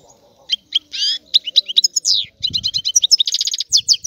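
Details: A Sicilian European goldfinch (cardellino) sings a quick, tinkling medley of high twittering notes, liquid trills and short buzzy phrases, delivered almost without pause, described as a rare, "old-style" song.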